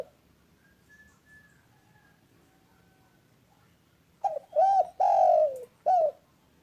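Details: Spotted dove giving a loud, clear coo phrase after several quiet seconds with faint distant whistles: two short arched coos, a long drawn-out falling coo, then a brief closing coo.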